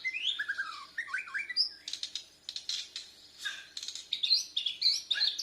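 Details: Young Bornean white-rumped shama practising song, mixing swooping whistles with harsh broadband bursts and high sharp notes in quick irregular succession.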